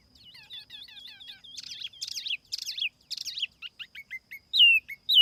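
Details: Lure song of a tiểu mi laughingthrush, clean and noise-free: soft wavering whistles build into loud burry phrases, then scattered clipped notes and two strong downslurred whistles at the end.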